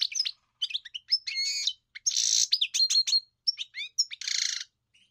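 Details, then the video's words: European goldfinch singing, a fast twittering run of chirps, trills and slurred whistles with two buzzy, grating bursts, in clean silence with no other sounds. "Enjoy the experience of the elegant singer GOLDFINCH"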